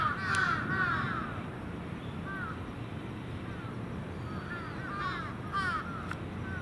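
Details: Crows gathering at their evening roost at Venus Terrace, young and adult birds together; a burst of harsh caws at the start, then scattered overlapping caws later, with steady low background rumble.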